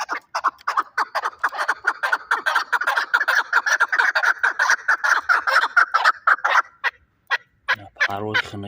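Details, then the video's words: Rapid, tumbling chuk-chuk chatter from a fighting chukar partridge in Shahritus, Tajikistan, running for nearly seven seconds, then a short pause and a brief low-pitched humming noise at the close. "Кабки Шаҳритус ҷангӣ"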